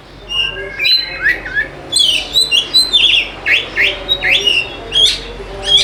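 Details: Kacer, the Oriental magpie-robin, in song meant to lure lazy birds into singing: a steady series of sweet whistles and downward-sliding notes, phrase after phrase with short gaps, over a faint low background.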